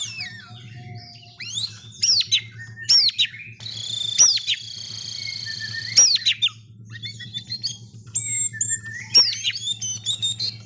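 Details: Oriental magpie-robin of the 'setan alas' type, singing agitatedly: loud varied song of sharp upslurred and downslurred whistles, trills and a harsh buzzy rasping phrase, with short pauses, over a steady low mechanical hum.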